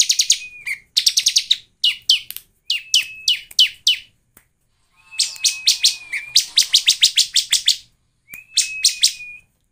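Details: Lure song of a Bar-winged prinia meant to prompt birds to sing: rapid series of sharp, high chirps delivered in clusters, with long, even, thin whistles running beneath some bursts and short pauses between phrases.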